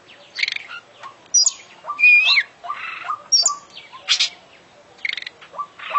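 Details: Champion oriental magpie-robin singing 'gacor', an 'isian' song mixing buzzy chirp bursts, a bright wavering whistle and short low notes in irregular bursts.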